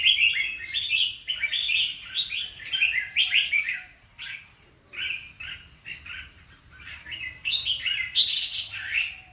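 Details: Red-whiskered bulbul singing: rapid, bright warbled phrases of short chirpy notes, each burst rising and falling, separated by brief pauses, with a faint low hum in the background.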